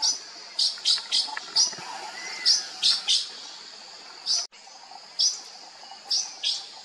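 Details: Sri Lanka blue magpie (Urocissa ornata) giving about a dozen short, harsh, high chirps in quick pairs and triplets, with a faint rising whistle in the background.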